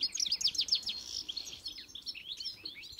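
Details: Pintassilgo, or European goldfinch, in encarte song: a fast, continuous stream of liquid twittering and chirping notes, high and bright, running without pause.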